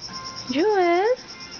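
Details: A talkative pet Moluccan cockatoo says a single voiced, word-like sound that rises, dips, then lifts again over half a second, amid its hellos, with a faint steady hiss behind it.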